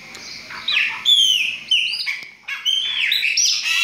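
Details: Several chopi blackbirds sing in bursts of whistled, downward-slurred notes with sharp metallic accents. Short quiet gaps fall between the loud phrases.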